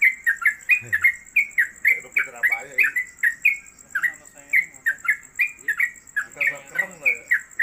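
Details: Long-duration rapid 'konslet' song of a caged trucuk, the Sooty-headed Bulbul, described as suitable for tutoring other birds. Steady stream of loud, short whistled notes, roughly three per second, with a little background talk.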